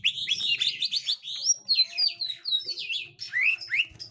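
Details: Gotri green leafbird facing a young wild green leafbird: a fast warbled stream of chirps and sliding whistles, ending in two downward-slurred notes.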